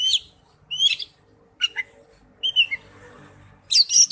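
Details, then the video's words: Oriental magpie-robin singing forest-style: short spaced phrases of sharp high whistles and chips, one warbled phrase, over faint low background noise. "Chim chích chòe than hót giọng rừng"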